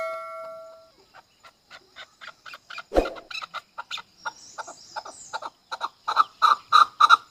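Chukar partridge giving a run of throaty chuck notes, about three a second, speeding up and growing louder; a brief hum opens it and one loud thump interrupts.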